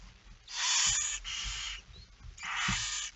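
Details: Barn owl feeding at the nest, night of 10 September 2019 at 22:45: three wheezy screeching hisses, the first two nearly run together, over faint low knocking sounds.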